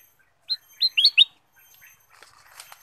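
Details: Ruby-throated bulbul song used as a lure to get other birds singing: four short, loud whistled notes, each sliding sharply down then up, the last two close together, followed by faint soft chatter.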